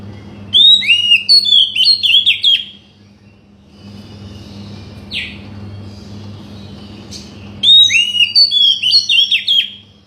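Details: Oriental magpie-robin song meant to trigger a quiet bird into singing: two bursts of fast varied whistles and chirps separated by several seconds of low hum with a couple of brief sharp notes.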